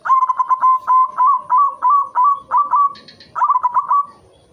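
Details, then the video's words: White zebra dove performing its song to encourage breeding; a long run of about ten bouncy, rapid coo notes, a short pause broken by faint high chirps, then a final quick rolling burst. "perkutut putih gacor manggung spesial pancingan bikin naik birahi"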